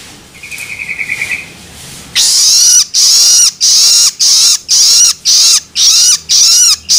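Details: Loloan begging of a young long-tailed shrike, used to stimulate adults. A brief fast chattering trill comes first, then loud rasping, hissy calls repeated steadily about every 0.6 seconds, each ending with a downward-curving note.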